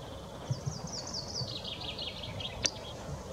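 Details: Chaffinch song recorded 6 April 2021: a quick, rattling trill of high notes descending steadily in pitch over about two and a half seconds, followed by a sharp click, over faint low noise.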